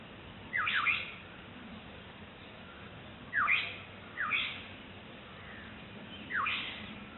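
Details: Black-headed Oriole calling to its chick, recorded in April 2006: four harsh, squawky falling calls spaced irregularly over about seven seconds, each a quick downward slur with a brief rough tail, against faint background hiss.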